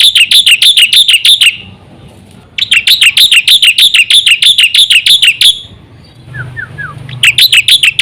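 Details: Black-winged myna song played to lure other mynas into singing: fast trains of identical sharp chirps, about three per second, in long bursts separated by pauses, with three faint down-slurred notes in one gap.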